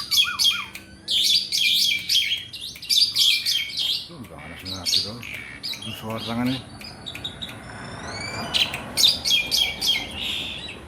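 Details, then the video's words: Asian pied starling, black and white, kept in a cage, singing without pause: rapid chattering phrases mixed with wavering whistles and a rising series of harsh notes, dense and varied. "JALAK SUREN GACORR,..Suara tiada henti henti"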